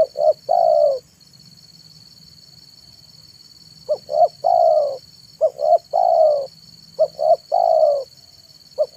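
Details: Zebra dove (tekukur) singing in the afternoon, used as a lure for wild doves: phrases of two short coos followed by a longer rolling coo, repeated with a long pause early on; steady high electronic hum throughout.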